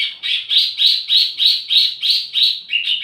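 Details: Wambi mini singing as tledekan lure and master: repeated harsh, slightly buzzy chirps about three per second, closing with two lower, clearer notes.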